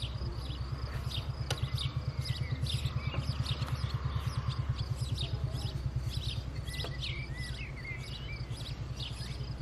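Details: Female house sparrow bringing food, filmed with a Canon EOS M50 mirrorless camera and telephoto lens; rapid, dense high chirps and tweets, roughly three per second and uneven, over a steady low hum with a few sharp clicks.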